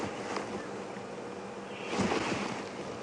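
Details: No animal sound is heard, only wind rumble and vehicle noise on a morning safari drive at Djuma Game Reserve, with a louder rushing gust midway.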